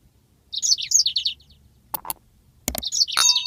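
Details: Yellow-fronted canary (Mozambique) giving a long rolling song used as a master tutor recording for training birds: high sweet whistled phrases and quick slurred notes, interrupted midway by a few sharp clicks before the warbling resumes.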